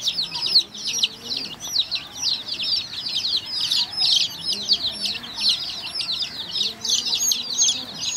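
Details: Colored chicks feeding together with hens, peeping nonstop: rapid, high-pitched, slightly downslurred cheeps from many birds at once, forming a steady bright chatter with faint low background noise.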